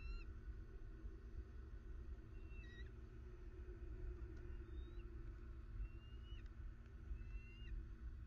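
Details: Southwest Florida bald eagles, 21 December 2019: short, thin whistled chirps, some sliding up and ending in a downturn, spaced about a second apart, against a continuous low humming background.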